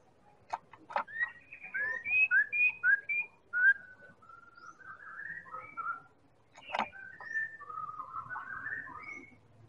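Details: Lure song of a Medan-type white-rumped shama for prompting other birds to sing: varied whistled phrases, sharp upslurs, flat whistles and warbled runs, broken by short clicks and a quiet low hum.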